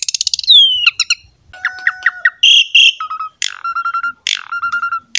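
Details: Asian pied starling song used to stimulate young starlings: a fast stuttering trill gliding downward, scattered chips, a steady low whistle, buzzy rasps and repeated short tones.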